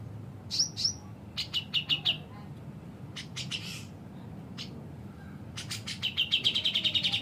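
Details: Cucak jenggot, the grey-cheeked bulbul, singing its high-low style: a sharp whistled note, quick chattering phrases with pauses, then a rapid high rattle of repeated notes at the close.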